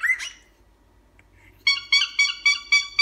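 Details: Pet cockatiel known for honking, with a plush toy nearby: a single rising squawk, a pause, then a run of short nasal honks repeated about four times a second, each loud and harmonic-rich.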